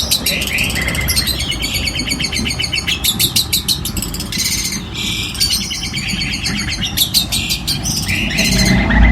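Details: Cendet (long-tailed shrike) training song packed with mimicked calls of birds such as lovebird, canary and ciblek: a busy stream of sharp chirps, fast trills and scratchy rattles changing every second or so, with a low hum behind.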